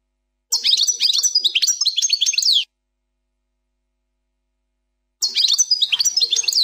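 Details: 'Plak mine' style goldfinch song presented as flawless: two bursts of lively, high chattering twitters and trilled notes, each lasting about two seconds, with a silent gap between them.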